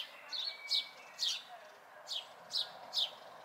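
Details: Fledgling house sparrows recorded in May 2020 call with short, sharp chirps, six or so loud notes spaced irregularly, plus a few softer ones, above a faint continuous background noise.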